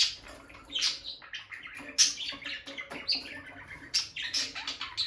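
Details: Peach-faced lovebirds, a bonded captive couple near the nest box with the female entering and leaving: loud shrill chirps and squeaky twitters in uneven bursts, some very piercing notes.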